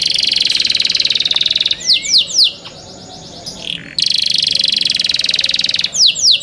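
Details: Young caged canary alternating long fast buzzy trills with short bursts of descending whistled notes and a brief pause, the trill resuming loudly.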